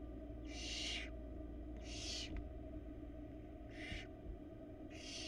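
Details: Barn owl pair at a nest box on a live camera in Florida, with an owlet nearby, as the male brings a rat to the female; four harsh, hissing screeches, each about half a second to a second long, over a steady low background hum.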